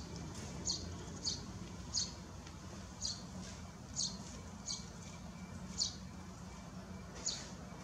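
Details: On 21 May 2022 at Landje van Geijsel, a Eurasian tree sparrow that has bred for years in a nest box on a shed gives about ten short, high chirps over eight seconds at an uneven pace, over a low wind or traffic rumble.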